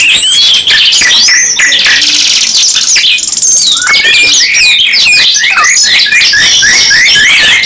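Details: Pair of canaries singing, opening with chirps then a long buzzy roll and a flat high trill, followed by evenly repeated sharp chirps in quick succession.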